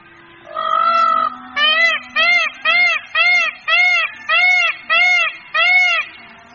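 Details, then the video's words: Peafowl call, used for communication in the breeding season to draw a mate or warn of predators: after a sustained nasal note come nine piercing, evenly paced cries in quick succession, strong and clear against a faint background hum. "Il Verso del Pavone"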